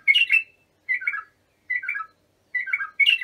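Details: Bulbul singing as tutoring for young birds, giving quick chirpy two-part phrases that drop slightly in pitch, spaced about once every second against a quiet background.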